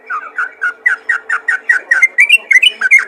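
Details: Sooty-headed bulbul calling to other bulbuls: a quick run of short whistled two-part notes, about four per second, rising slightly in pitch towards the end.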